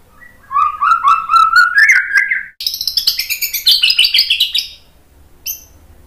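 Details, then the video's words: White-rumped shama song for training captive birds: a rising series of fluty whistled notes, followed by a fast, high chattering run of varied phrases, then a lone high note. "SUARA MURAI BATU Untuk melatih MENTAL biar BUNYI NYAUT JADI GACOR"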